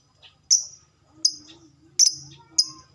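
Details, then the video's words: Short, piercing lovebird chirps, four in quick irregular succession, each with a brief trailing tone, used to spark a chattering reply; faint low murmur beneath. "SUARA BURUNG LOVEBRID TERCEPAT, bikin cepat respon ngekek"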